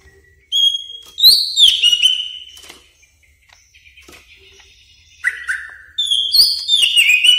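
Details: Greater green leafbird lure sound for luring and training birds: scattered clear whistles of differing pitch, some sliding downward, separated by short gaps, ending in rising and falling whistled phrases.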